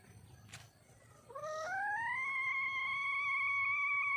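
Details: Wild hen, a red junglefowl, calling for a mate: after quiet rustling, one drawn-out whistled note rises and then holds level and loud until the end.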